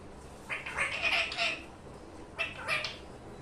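A budgerigar gives two bursts of shrill, warbling chatter separated by a brief pause.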